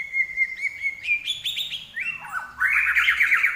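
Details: Common iora singing actively (gacor), starting with a long even whistle, then trilled notes, a dropping slur and a loud buzzy run of rising notes.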